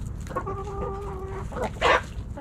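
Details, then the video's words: Backyard chickens snacking at Thanksgiving; a hen's drawn-out tonal cluck lasting about a second, followed by short clucks and a loud harsh burst near the end. "Backyard Chickens Thanksgiving Snacking Sounds Noises Hens Clucking Roosters Crowing!"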